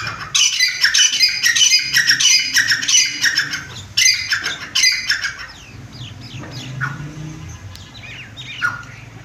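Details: Captive grey francolin (chitta teetar) on a home bird farm giving loud, harsh, grating calls in a fast repeated series for about five seconds, then fading to softer scattered notes.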